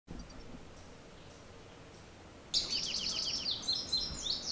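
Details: Indigo bunting in full song: a bright, high, fast run of paired notes, starting after a quiet pause, over faint background hiss.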